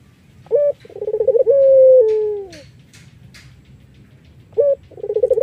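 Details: Collared dove of the Iraq variety, a melodious singer suited to luring other doves: a short clipped note, then a fast pulsing trill that runs into a long, smooth, slowly falling coo. The phrase starts again after a pause.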